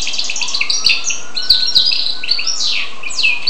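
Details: Twittering song from a goldfinch-canary cross: dense high chirps and buzzy trills, with steep downward slurs near the end, over a faint, steady low tone.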